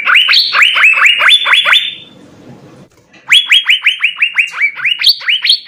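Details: Asian fairy-bluebird song used for training birds: fast rising-falling whistled notes, a quiet gap of over a second, then the rapid notes start again with occasional higher phrases.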